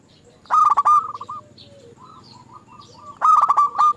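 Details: Lure recording of zebra doves meant to set other doves singing. Two loud, broken, rolling coo phrases open and close the clip, with a quieter dove answering between them in a series of short, even coos.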